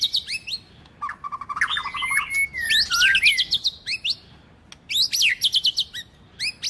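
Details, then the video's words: Female white-rumped shama singing to stimulate males: varied phrases of fast whistled sweeps and buzzy rattled notes, a long thin whistle, then bursts of sharp rising and falling chirps. "MÁI HÓT Kích Trống"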